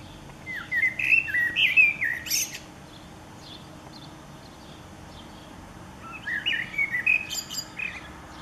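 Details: Blackbird song recorded 29 April 2019: two separate phrases of mellow, fluty, rolling whistles, each ending in squeaky high twitters, with a quiet pause of several seconds between them.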